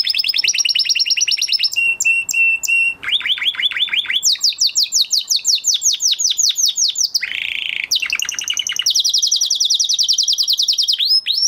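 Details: Male canary, just past the moulting period, in full song: long tours of rapid repeated whistles at changing pitches, a clipped chip series, a buzzy burst, and a high rolling trill to close.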